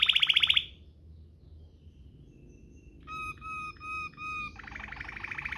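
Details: Waterslager-style canary rolling song meant for tutoring canaries: a short loud roll, a near-silent pause with faint high notes, then four evenly spaced whistled notes and a renewed fast roll.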